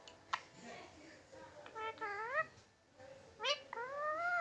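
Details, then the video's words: Pet Indian green-neck parrot talking in a cat's voice: a sharp click, then a few short meow-like notes and two longer rising-falling "miaoon" mews, with quiet gaps between them. "Funny Parrot Talking Miaoon in Cat's Voice"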